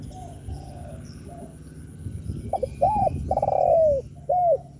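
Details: Spotted dove cooing to provoke other doves: faint distant coos at first, then a loud sequence of two short notes, an arched coo, a long descending coo and a final arched coo.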